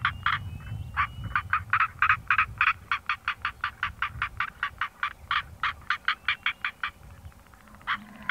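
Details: A Northern Black Korhaan in southern Africa, calling from an elevated mound such as a termite mound used as a song post, gives a long run of harsh, rasping croaks, three or four each second, over a soft low wind rumble.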